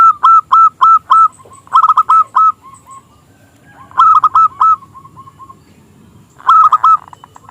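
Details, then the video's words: Small crystal-voiced local zebra dove, singing as a lure for rival doves: clusters of loud rapid hoots separated by pauses, with fading trailing notes after each cluster. "Perkutut Lokal Gacor suara KECIL Kristal AHLINYA untuk pancingan perkutut lawan MANGGUNG"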